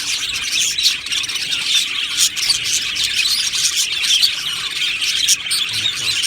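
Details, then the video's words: Aviary colony of cheerful budgies chattering nonstop: many overlapping bright chirps, squeaks and warbled notes blending into a busy high-pitched wash. "Budgie Sounds for lonely Budgies | Happy Budgies Birds Sounds | birds Chirping Sounds"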